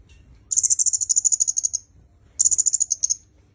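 Red-headed myzomela giving two fast bursts of very high, thin notes, each a rapid chattering run that drops slightly in pitch; a faint low hum sits beneath.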